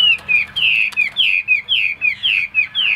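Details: A 90% tame Chinese hwamei (Garrulax canorus) singing a steady run of loud, slurred whistles, each dropping in pitch, about three per second; a faint low hum sits underneath.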